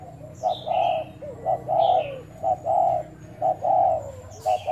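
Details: Spotted dove decoy of Thai type, tested cooing on 1 November. Long, full coos alternate with short clipped ones in an even rhythm, about one a second, with faint high chirps from other birds.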